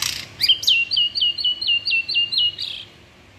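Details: Loud white-rumped shama song: a row of about eight bright, high, repeated chip notes at an even pace, opened and closed by short rasping bursts.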